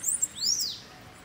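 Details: Bananaquit in a campeada, a song style meant to excite other bananaquits: a brief, very high bird phrase of quick thin notes and one arched, sweeping note.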